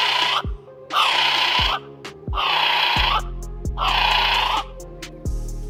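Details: Kiwi, a rare, flightless, mostly nocturnal New Zealand bird now near extinction, gives four harsh, shrill, drawn-out screams, each under a second, spaced about a second and a half apart, over steady background music.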